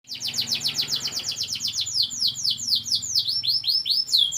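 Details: National champion competition canary delivering a fast, even trill of repeated high swooping notes, each a quick downward sweep, the rhythm slowing and the notes broadening toward the end, faint low hum behind.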